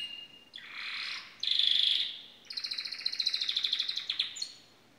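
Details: Buzzy, dense song from a pet canary: a harsh rasping phrase, a loud buzzing note, then a fast rattling trill of rapid repeated pulses lasting about two seconds.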